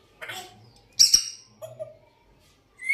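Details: African grey parrot, always whistling and trying to talk: a harsh hoarse burst, then a sharper squawk, a short falling tone, and a bright rising whistle at the end, with short pauses between, indoors.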